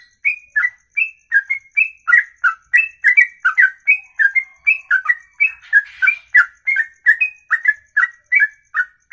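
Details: Caged songbird delivering a ropelan, a long song sung in one breath lasting over two minutes: rapid, steady string of loud whistled notes, each a sharp rising-falling chirp with a bright high overtone, about three per second, no pauses.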